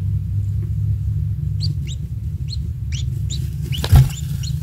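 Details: Young kingfisher chick at its nest, a single newly hatched nestling being fed insects by its parent; short high rising chirps repeat about three per second in bursts, over a steady low rumble, with a brief knock near the end.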